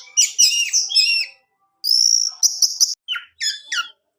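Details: Orange-headed thrush singing, the kind of song played to get a kept male to sing: a tumbling run of high chirps, a sustained bright whistle, then short clipped notes and quick downslurred whistles.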